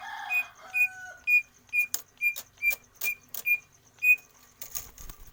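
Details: Greater green leafbird practising song for stamina: a repeated series of short clear whistles at even pitch, about two per second, with a brief lower whistle early and rustling noise.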